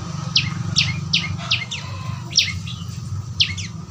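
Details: Juvenile prenjak lumut, a prinia, giving calls meant as tutoring for a kept songbird: quick high chirps that slide downward, several in close succession then spaced apart, with low background hum.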